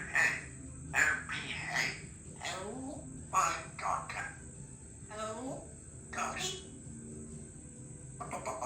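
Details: A 3-year-old female Congo African grey parrot, kept as a pet in a country home, talks; her favourite phrases are "Give me a kiss" and "I love you". Speech-like bursts mix with swooping, bending whistled tones, with a steady high background hum.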